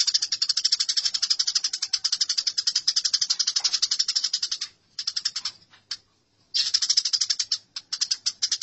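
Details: A nearly continuous stream of shrill, rapid sparrow chirps during a fight, about four notes per second, pausing briefly before resuming.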